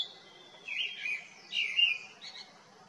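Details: Grey-winged Blackbird calling cheerfully in the Himalaya at Jabbarkhet among nodding foxglove spikes; two short phrases of warbled, descending whistles about a second apart, then a softer trailing note.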